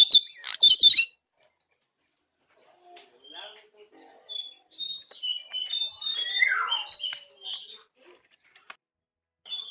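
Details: Jongkangan master song for prompting caged birds to sing: a loud burst of high chirps opens, then after a pause, scattered short whistled notes and chirps, with a descending slurred phrase near the middle.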